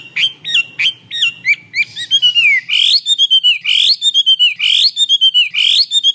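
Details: Chinese hwamei singing vigorously, a varied song meant as a tutor for kiacu birds kept at home: loud clear whistles, first short looping notes, then a series of strong upslurred phrases each ending in a long level whistle, about one per second.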